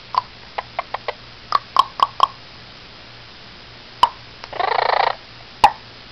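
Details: Blue-crowned conure, a rescued male pet and feather plucker, mimicking a dog's bark: a series of soft clicking ticks, then a half-second harsh, grating squawk, followed by one more sharp click.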